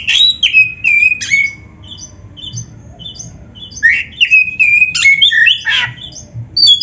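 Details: Oriental magpie-robin singing for training other birds: clear whistled notes sliding downward, then a quiet pause, then a busy burst of scratchy and whistled phrases, ending with high thin whistles.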